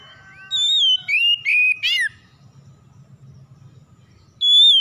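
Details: Magpie-robin song played to coax a silent bird into singing: clear whistles fall into three short notes and a buzzy, stuttering trill. After a quiet pause a new long whistle begins.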